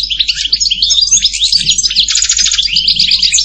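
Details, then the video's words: Lively European goldfinch song, a dense chatter of tinkling chirps, slurred whistles and a brief buzzy trill, continuous over three and a half seconds. "Canto jilguero Goldfinch song"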